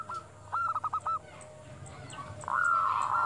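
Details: Local zebra dove calling at dusk, used as a lure to stir quiet captive doves: five quick clipped cooing pulses, then one long steady coo after a pause, over a low hum.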